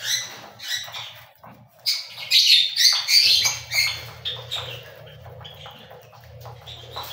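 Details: Cockatiel chirps and squawks, peaking in a loud cluster of bright, harsh notes in the middle, then fading into softer, repeated chatter over a low background hum.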